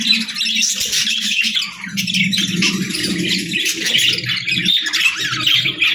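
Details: Pet parrot starting its day, squawking and chattering continuously with rough, noisy calls, alongside a low droning hum throughout.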